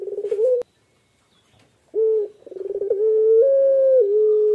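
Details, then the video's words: Incubating Barbary dove (puter pelung) delivering its coo: a pulsed fragment, a pause of silence, then a short note, a fast rattling run and a long sustained tone stepping up and then down. "PUTER PELUNG NGACOR SAAT MENGERAMI TELUR"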